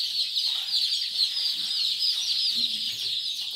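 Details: Kadaknath day-old chicks for sale at Singaperumal Koil, Chengalpattu district, making a dense, unbroken chorus of high, shrill peeps from many birds together.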